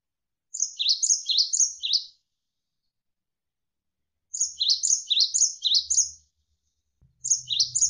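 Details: Cinereous tit (gelatik wingko) singing as a tutor recording for training songbirds, with pauses between bouts: two bursts of rapid, high, repeated two-note whistled phrases, roughly five per burst, separated by several seconds of silence, then a third burst begins.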